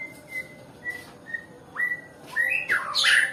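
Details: White-rumped shama of the Nias type, described as reluctant to sing. It gives several level whistled notes spaced about half a second apart, then a few louder upward-sweeping notes and a burst of harsher, higher sound at the end.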